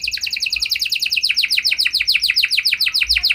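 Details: Energetic canary song meant to make other canaries sing back, a dense, unbroken high rolling trill of rapidly repeated chirping notes.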